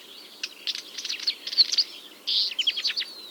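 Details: Northern wheatear song from Ryazan Oblast in June 2023, breeding season near a quarry; a busy stream of scratchy clicking notes and buzzy whistles, quieter at first and then a louder harsh phrase.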